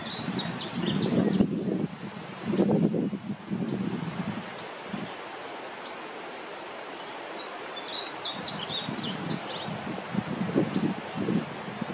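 A young painted bunting sings two brief bursts of quick, high, jumbled warbling notes with scattered single chips between, over low rumbling wind and rustling.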